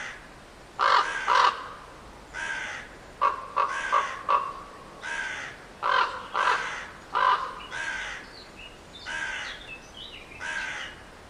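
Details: A long, irregular series of hoarse crow caws, about a dozen over eleven seconds, some in close pairs and some single, varying in loudness.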